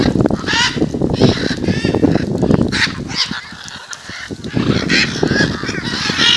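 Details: A gathering of macaws near a house at Jaumave, Tamaulipas, in February 2015 gives grating, overlapping squawks throughout, partly masked by heavy low rumbling noise, with a quieter lull near the middle.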